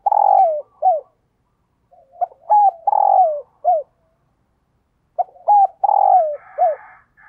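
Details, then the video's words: Decoy spotted dove cooing to attract wild doves, with three repeated phrases a few seconds apart. Each is a loud mellow coo falling at the end, followed by a short hooked note; a faint rustle near the end. "Tiếng Chim Cu Mồi gáy Mồi Gáy Gọi/ Bổi Nghe Siêng Gáy Và Nhanh Nổi"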